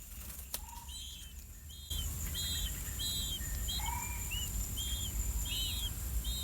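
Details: Two older blue-winged pitta chicks in the nest give short, thin high notes repeated about every half second, with a few lower whistles, over steady rustling, while waiting for their parents to bring earthworms.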